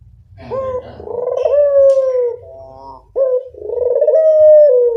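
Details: Close local collared dove lure call: a quick two-part opening, a long quavering coo sliding gently downward, a softer nasal fade, then the next coo beginning abruptly; faint low rumble underneath.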